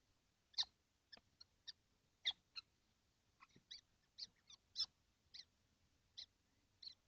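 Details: Kestrels in a nesting box, all seven together on a hot June day in 2025: a busy run of sharp, grating squeals of varying loudness over seven seconds, several birds overlapping.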